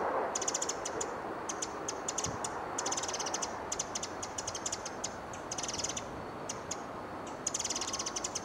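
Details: Pacific wren giving sharp, high ticking notes in quick bursts about every half second, over a steady rushing background like running water, on Iona Island, Vancouver BC.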